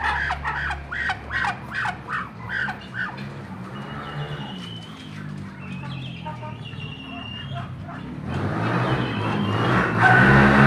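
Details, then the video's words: Duck calls: a quick series of nasal, harmonic quacks, about four a second for three seconds. Quieter scattered calls follow, then a louder wash of broadband noise near the end. "suara bebek"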